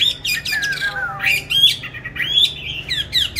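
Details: Caged songbird on steady feed, bought 19 May 2020, said to sing anywhere at any hour; continuous run of harsh, squawky, sharply sliding notes with short warbled twists, phrases bunched closely with brief gaps, slight room echo.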